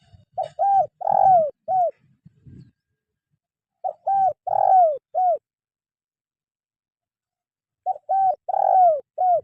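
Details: Spotted dove call for training reluctant caged birds: three repeated cooing phrases about four seconds apart, each a quick pair of coos, a long falling coo and a closing short one, with faint low rustling between.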